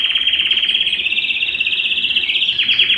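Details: Belgian canary in a continuous high, rolling song of rapid trilled notes without pause and a brief sharper flourish near the end, a song meant to warm up Belgian canaries and stimulate females.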